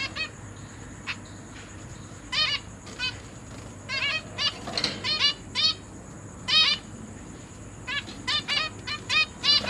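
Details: Zebra finches in a big cage with parents feeding fledged chicks that hop about practising flight, 29 September 2023: repeated short nasal beeping calls, sparse at first, then clustering into quick pairs and triplets, over a constant high hum.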